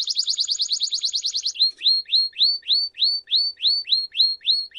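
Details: Canary song used to tutor young canaries: a quick rattling trill for about one and a half seconds, followed by a steady series of rising upswept whistles repeated about three times per second.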